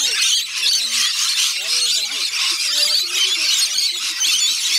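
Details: Rainbow lorikeets mobbing a feeding session at Bungalow Bay Koala Village, Magnetic Island, Australia: sustained high screeching from the flock over rising and falling human speech.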